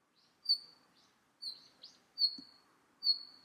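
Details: Red-flanked bluetail giving thin, high whistled notes at uneven intervals, some longer and drawn out, with one short lower chip among them and a soft tick in a hushed setting.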